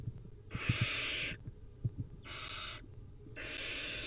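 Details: Wild barn owl young begging at feeding time: three long, rough hissing shrieks, each nearly a second, with low knocking and shuffling sounds in the gaps.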